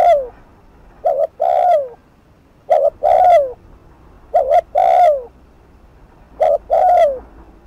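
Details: Cooing spotted dove used as a lure for rival birds, fast 'thúc gù' delivery; each phrase a quick doubled hoot then a drawn-out descending coo, repeated about every one and a half to two seconds in a quiet room.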